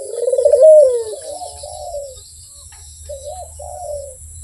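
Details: Barbary dove, known locally as puter, giving a loud rolling coo that rises then falls, followed after a pause by softer, shorter coos, over faint low background hum.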